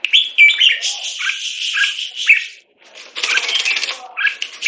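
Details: A caged jambul from Singapore, molting, sings warbled whistling phrases. A short pause splits the song before a fresh burst of rapid chirps.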